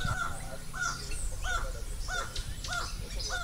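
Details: A toucan, said to be red-billed, about 5 to 10 metres away gives a series of six yelping, slightly arched notes, about one every 0.6 seconds, over a low background rumble.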